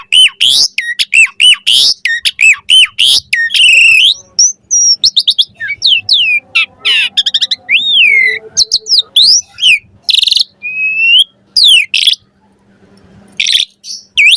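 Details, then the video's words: Asian pied starling singing a full variety of chatter for training cage birds; rapid runs of sharp whistles and squeaky notes, slurred rising and falling phrases, brief pauses, a faint low hum underneath. "Suara Jalak Suren Full Variasi Ocehan Buat Masteran & Pancingan Burung Jalak Agar Cepat Gacor Isian"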